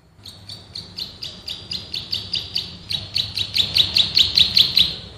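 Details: Bar-winged prinia song for training cagebirds, ngebren tembakan rapat style: a steady string of about twenty high, penetrating chirps, each roughly a quarter second apart, growing louder and sharper toward the end.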